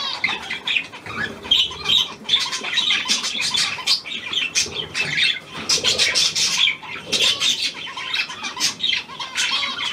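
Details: Australian pied budgerigar, hand-tame, recorded 17 February 2023: bursts of rapid buzzy chirps and squawks in uneven clusters, with short dips between runs of chatter.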